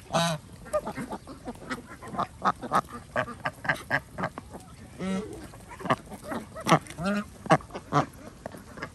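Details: Duck flock at feeding time on a village duck farm in Andhra Pradesh, India, fed twice daily: spaced, raspy quacks from several birds, some drawn out and buzzy, others clipped, with short gaps between calls.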